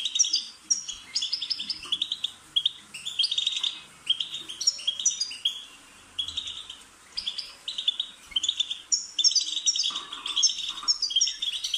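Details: Energetic European goldfinch singing, offered so a pet bird will chirp along: rapid phrases of tinkling twitters, buzzy rattles and high whistled chirps, interrupted by a few short gaps.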